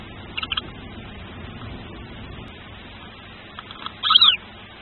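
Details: First tawny owl chick of a pair hatching inside the nest, watched by nest camera; two or three faint high peeps early on, then a louder thin squeal that rises briefly and falls away near the end, against quiet hiss.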